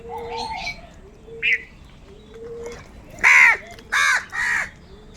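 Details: Many hungry crows feeding and fighting over food, calling together: three loud, harsh caws in quick succession, each about half a second long, after fainter, softer calls from other birds in the background.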